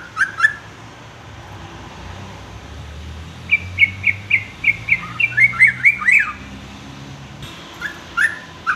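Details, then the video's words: Sooty-headed bulbul with a varied song meant for tutoring young males: an opening pair of short chirps, then a run of about ten quick sliding notes that grow more jumbled, ending with a few scattered chirps over faint hiss. "kicau trucuk aneh tapi unik"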